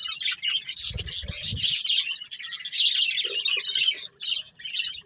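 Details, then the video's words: Breeding pair of budgerigars producing busy high chirping and raspy warbling almost nonstop, with a few low bumps near the start and short pauses late on. "Cute Budgies Chirping Sounds"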